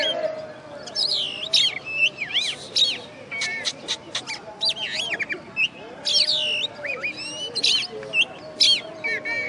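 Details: Contest-winning oriental magpie-robin kept in a cage, pouring out a long varied song of fast whistled swoops, sharp clicks and harsh chattering notes in bursts of one to two seconds, with a low steady tone running beneath.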